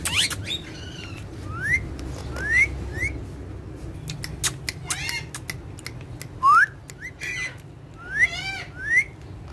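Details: Two dancing, talking ringneck parrots kept as pets: a harsh squawk opens, then separate sharp upward-sweeping whistles spaced a second or more apart, with scattered clicks and chattering between them.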